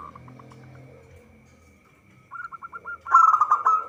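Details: Local zebra dove song intended as a lure for bird trapping. Faint soft notes give way to a quick series of beaded coos, then a loud bubbling trilled phrase.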